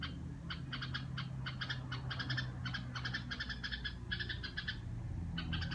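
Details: A pet red-whiskered bulbul gives quick clusters of bright, nasal chattering notes, bursts every half second or so, over a steady low hum; its owner wonders whether it is singing the "rò" song.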